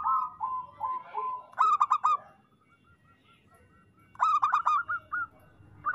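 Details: Zebra dove of the local type in energetic song, used to coax reluctant doves into cooing: a soft run of short coos, then a quick stuttering burst of notes, the pattern returning after a quiet gap.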